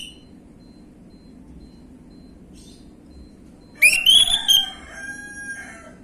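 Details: Lure song of an orange-headed thrush, gamblingan style, for untrained birds: a quiet start, then a loud burst of rising whistles and slurred notes trailing into softer warbling.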